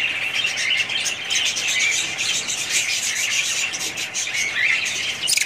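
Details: Budgies chattering together in a dense, continuous wash of high, overlapping chirps and warbles, with no pauses across the stretch.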